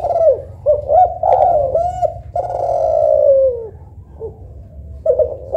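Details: Spotted dove, local or Kelantan derkuku type, with a soft, melodious coo: a few short hooked notes lead into a long, slowly descending coo, followed by quieter brief notes.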